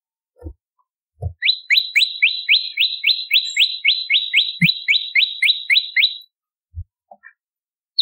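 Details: Bar-winged prinia song used as a training recording for songbirds: a fast, even burst of about nineteen quick upslurred notes, each snapping upward at the end, lasting nearly five seconds, with a few low thumps and knocks before and after.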